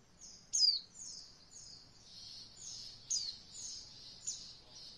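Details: Oriental white-eye heard in beginner roll voll training material: quiet, high, thin downslurred notes repeated about once a second, with a few sharper accents and faint background hiss.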